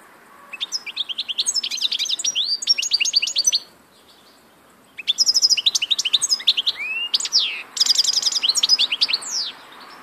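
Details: Long, energetic goldfinch song of two extended phrases split by a brief pause, packed with rapid twittering, buzzy trills and a few upswept whistled notes.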